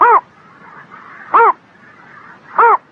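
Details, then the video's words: Bird on a spring morning giving three short, harsh, arched calls spaced about 1.3 seconds apart, with a soft murmur between them. "Singing Bird in the Spring Morning"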